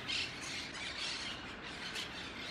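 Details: Wild feral monk parakeets in Brussels, Belgium, 2017, in pairs or groups that climb trees and forage on the ground, give a dense, continuous chatter of harsh, grating squawks, several birds calling over one another with no pause.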